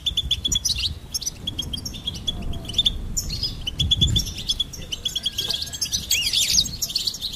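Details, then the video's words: Goldfinch song of quick high chirps and buzzy trills over a low rumbling background, phrases running on with short gaps. "Goldfinch Singing and Song Compilation"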